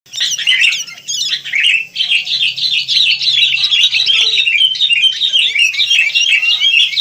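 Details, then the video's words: Wild sooty-headed bulbuls in a lively, busy chorus: dense, bubbly chirping phrases running almost without pause for seven seconds, overlapping notes suggesting several birds, with a faint low hum beneath. "Rame Kicau Burung Kutilang"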